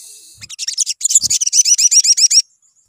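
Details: Sunbird, song used as a lure to get birds singing: a loud, fast chattering run of high twittering notes with slurred whistles, about two seconds long, then stopping abruptly, faint low thumps.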